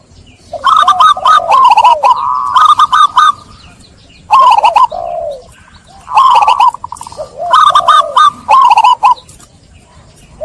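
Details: Therapy lure for zebra doves that went silent from trapping stress: loud phrases of quick staccato coos sliding into a lower drawn note, four bursts separated by brief gaps, faint background hum.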